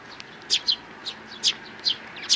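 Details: Sparrows, three nestlings, recorded 12 May 2019: several short, high, sharp chirps in twos and threes, spaced about half a second to a second apart, over a quiet background.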